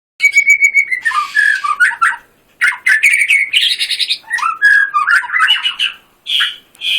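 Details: White-rumped shama, a competition-style songbird, singing a rich varied song of whistled notes, buzzy bursts and rapid trills, phrases broken by short pauses.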